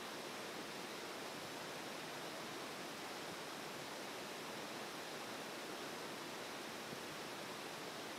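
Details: Constant roaring stream water fills the recording, with no bird song audible.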